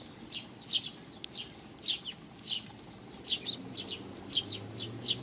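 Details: Sparrows coming for food at a Tenmangu shrine's front approach, 29 May 2020: loud, sharp chirps, often doubled, repeated several times a second in lively bursts over quiet background.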